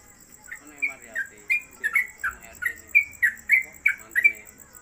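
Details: Home-kept trucuk in rapid ropelan: crisp, slurred whistles repeated quickly over a quiet room with a faint high electronic whine.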